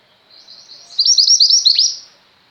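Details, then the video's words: Female mountain white-eye (pleci) in full song, kept for training pet white-eyes: a rapid, high twittering warble of slurred chirps lasting about a second, with one sharply descending note near the end. "mantenan gunung betina gacor, cocok untuk masteran burung pleci anda"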